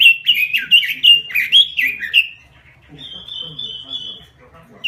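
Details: Robin lure call in lively 'gacor' style, meant as a training master: a bright series of about seven swooping whistled notes, followed by a long, thin, level whistle held for over a second.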